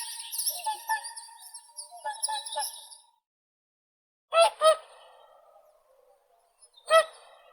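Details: Whooper swan: a few seconds of layered, softer nasal calling, then two loud bugling honks in quick succession and a single honk after a pause.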